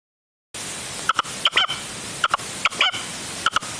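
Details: Red-legged partridge kept as a hunting decoy, calling during an afternoon stand on 25 January 2023 in upper Huelva, Spain, the first of the season; a few short, harsh, two-part chuckling notes with bright overtones, spaced irregularly over steady background hiss.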